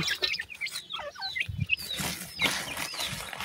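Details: Baby pheasants at new food, uttering quick high chirps and short descending whistles, some doubled, over background scratching and soft thumps.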